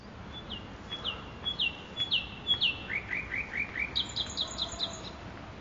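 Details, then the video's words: Nightingale singing in a park. Paired high whistled notes repeat steadily, then a quick run of lower, slurred notes follows. The song ends with a fast series of high chipping notes, heard against a constant hiss of background noise. "صدای بلبل خفن در پارک ماکوئی"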